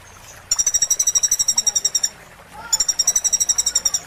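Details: Sunbird song recorded for training caged songbirds: two bursts of rapid, high, buzzy trilled notes, each about one and a half seconds long, separated by a short pause over faint background hiss.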